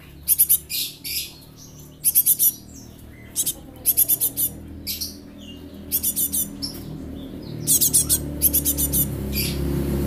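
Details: Young Java sparrow kept as a lure, calling in repeated bursts of four to six quick, high chips about every two seconds, while a low rumbling hum grows louder toward the end.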